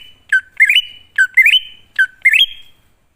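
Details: Wild greater green leafbird song played as a lure so wild birds answer: three bright whistled phrases, each dipping low then rising in quick steps to a held note, spaced under a second apart, otherwise quiet.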